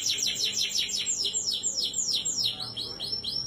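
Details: Canary song for prompting a canary that won't sing: quick series of sharp down-slurred whistled notes, repeated about three per second, bright and high.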